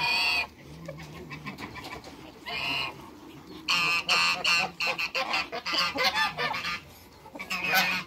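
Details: A pair of African geese in a backyard with other waterbirds, giving bursts of harsh, nasal honks in rapid runs separated by short pauses, with a low cackling of other fowl underneath.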